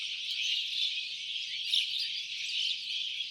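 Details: Birds making noise, heard as a dense, continuous high chatter of overlapping chirps and squeaks with no clear pauses, steady in loudness throughout.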